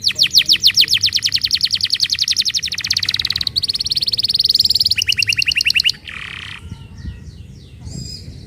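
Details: Canary singing as a lure for silent canaries: long fast trills of high, evenly pulsed notes changing pitch several times over six seconds, then a short harsh note and faint scattered chirps.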